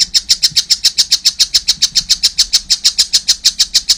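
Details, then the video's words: Young collared kingfisher calling nonstop: a fast, even series of sharp, high, harsh notes, nearly four per second, steady for the whole stretch. "wow masih kecil udah gacor , anakan burung tengkek buto"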